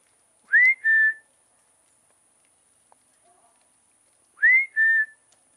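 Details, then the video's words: Peacock calling from a roof while being fed: two loud two-part cries about three seconds apart, each a clear note sweeping upward and then a level, held second note. Otherwise quiet, with a faint click between the calls. "Feeding Peacock Calling from Roof"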